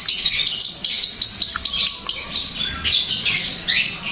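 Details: Long-tailed shrike song for drawing a reply from another shrike: a fast jumble of high chattering notes, a few short clear whistles mixed in.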